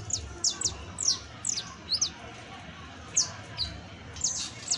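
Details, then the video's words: Saffron finch, called canario criollo, in professional song: clusters of high, downward-slurring chirps in short bursts separated by brief pauses, over quiet background noise. "CANTO PROFESIONAL DE CANARIO BASTO [ASÍ CANTA UN CANARIO BASTO PROFESIONAL"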